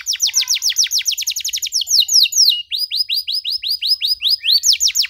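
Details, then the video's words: Canary in full, energetic song with long bursts and elaborate 'cengkok mewah' phrasing, meant for young canaries learning to sing: fast runs of high downward-sweeping notes, then slower looping whistled notes repeated steadily. "KENARI GACOR DORR NEMBAK PANJANG, CENGKOK MEWAH COCOK BUAT KENARI MUDA BELAJAR BUNYI"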